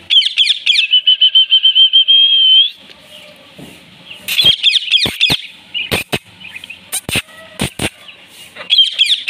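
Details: An adult Indian ringneck (rose-ringed) parakeet, a talking pet, greets a new baby ringneck with quick, harsh chattering notes, then a long, steady high whistle, with sharp clicks and knocks in between.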